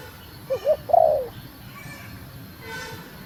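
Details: Female spotted dove calling to stimulate the male: one phrase of two short low notes then a longer falling coo, followed by silence and a brief horn-like honk near the end.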